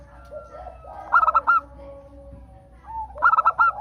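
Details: Local zebra dove voice used as a prompt to make other birds sing: two bright bursts of five short, rapid notes, with faint lower cooing and a thin steady tone in between.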